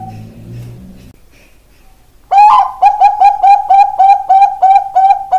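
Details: Zebra dove of the Bangkok perkutut type, a ringed bird, sings. Two seconds of near silence come first. Then a fast run of short, mellow cooing notes follows, about four a second, each at the same steady pitch.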